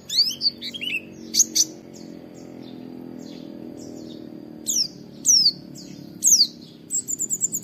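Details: Oriental white-eye training recording with 'wit wit' calls, meant to prompt other white-eyes to sing. Sparse, high, sharp chirps and quick down-slurred notes come in short bursts separated by pauses, over a faint low hum.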